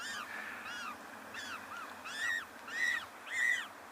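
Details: Unseen African penguin chicks in a shaded, densely vegetated nest against a penguin protection fence beg for food from an adult with high, arched, rising-and-falling peeps, about seven in four seconds, growing louder.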